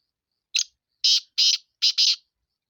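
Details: Black francolin of the Sindhi type gives one clipped opening note, then four loud, grating, buzzy syllables, the final pair nearly joined, the whole phrase lasting under two seconds in otherwise silent surroundings.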